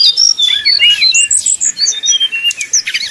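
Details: Sumatran red-crowned leafbird in fighting song as at a contest: rapid varied high whistles and chattering notes, sliding up and down in quick succession without pause, clean background.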